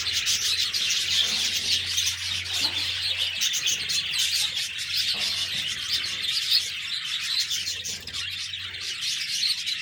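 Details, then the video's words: Budgerigars keep up a steady, crowded chorus of quick high chirps, scratchy warbles and squeaks, about four bursts a second, with a low background hum at times. "Budgies Birds talking sound Birds chirping sounds"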